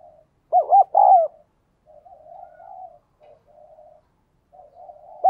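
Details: Captive spotted dove with a 'đồng kim' voice, cooing steadily to stir newly caught birds: a pair of strong hooting coos, then softer, wavering low coos, and a last loud coo at the end.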